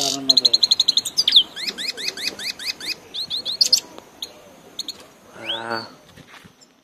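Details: In Tajikistan a grey-headed goldfinch gives a quick run of high, ringing notes and repeated rising chirps, fading into scattered clicks and a lower rasping sound.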